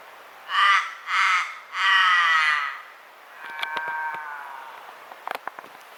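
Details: Common raven giving three loud raspy caws, the last drawn out, followed by a softer, lower-pitched croaking call and a few faint clicks.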